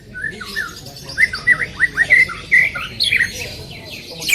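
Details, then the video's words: Greater green leafbird (cucak ijo) in loud, active 'tembakan' song for a training recording: a brief run of warbled, looping whistles and quick chirps over a steady background hiss. "cucak ijo gacor full tembakan suara keras"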